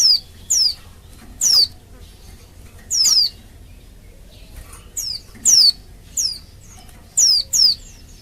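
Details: Calling female Oriental white-eye, meant to excite males into song; bright high falling whistles, single or in quick pairs, with short pauses between bursts.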